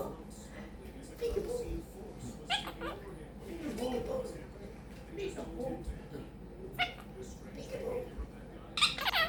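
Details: Indoor monk parakeet, kept as a pet quaker parrot, chattering mimicked words such as peek a boo, bacon pancakes, give me a kiss and thank you baby. Murmured syllables mix with sharp squeaky clicks and a loud shrill squawk at the end.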